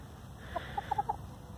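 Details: Free-range hen, domestic chicken loud over nesting spots, complaining: a short burst of five quick mid-pitched clucks within about half a second, over low background rumble.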